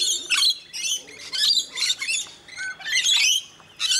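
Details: Rainbow lorikeets being hand-fed at Mt Gravatt, Brisbane, Australia, with one scaly-breasted lorikeet among them, screech in harsh, high, grating bursts, several overlapping calls about every half second from a noisy group.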